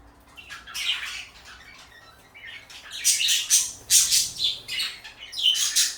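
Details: A pair of pet parakeets, one blue and one light yellow, chatter in scratchy, high bursts. The calls come sparse at first, then grow louder and denser, repeating roughly twice a second toward the end.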